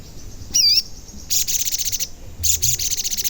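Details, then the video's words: Sogon bird's call, an active singer, used as a lure to make other sogon birds sing and get agitated: a high wavy whistled note, then two bursts of fast, buzzy, high-pitched trills. "Pancingan Sogon Agar Bunyi dan Emosi"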